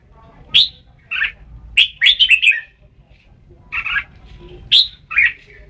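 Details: Red-whiskered bulbul from Thailand giving short, bright, bubbly whistled phrases, some warbling notes run together, in bursts separated by pauses of about a second; quiet background with faint low hum.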